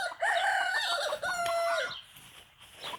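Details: Bantam chicken on a small backyard farm where a mother hen takes her chicks outside; one loud, drawn-out, strained crow-like call lasting about one and a half seconds, wavering slightly, then fading into quiet peeps and background hiss.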